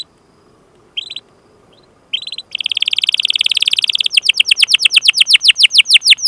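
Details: Canary song for training other canaries to sing: two short isolated bursts over faint hiss, then a buzzy trill that shifts into faster, deeply swept repeated notes.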